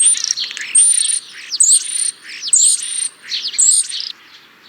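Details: European starling song: a sustained very high whistle underlying repeated blocks of buzzy, squeaky chatter, each block about half a second long.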